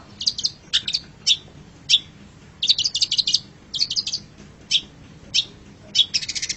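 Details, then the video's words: Long-tailed shrike song as a training master for pet birds: clusters of quick, sharp chirps and ticks in irregular bursts, separated by single louder notes, ending in a rapid trill. "MASTERAN GACOR - Suara Burung Cendet"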